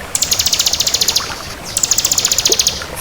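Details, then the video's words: Singing bar-winged prinia of the 'kristal' type: two very high, fast, evenly pulsed buzzy trills, each about one second long, with a brief gap between them. "Suara Burung Ciblek Kristal Gacor"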